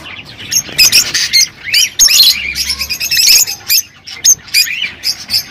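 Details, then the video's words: Rosy-faced and Fischer's lovebirds calling to stimulate mating. Dense, high, rasping squawks and rising chirps follow one another quickly in short bursts, with almost no pause across the clip. "تغريد طيور الروز والفيشر"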